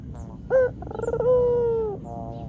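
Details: Single phrase from a white Barbary dove lure recording: a brief bright note, a bubbling roll, then a long smooth coo that fades downward.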